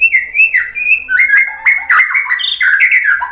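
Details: White-rumped shama singing to stimulate other shamas to reply: a dense, rapid run of rich whistles and chattering notes that change pitch constantly, with scattered sharp high ticks.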